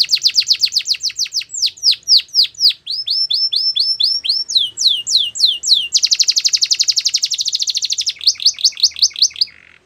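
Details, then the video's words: Varied Russian canary training song: rapid rolling trills alternate with runs of falling whistled notes and chopped phrases, then a dense buzzy roll and a final quick trill that stops abruptly. "Russian Canary Sining | Canary Training Song"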